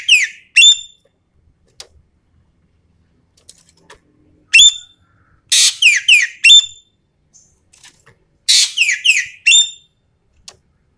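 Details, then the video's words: Lure recording of a Sumatran common green magpie calling energetically: high sharp notes and repeated bursts of harsh, downward-sweeping whistles, grouped in threes or fours, returning every few seconds. "MASTERAN/PANCINGAN SUARA BURUNG EKEK KELING SUMATERA GACORR FULL TEMBAKAN"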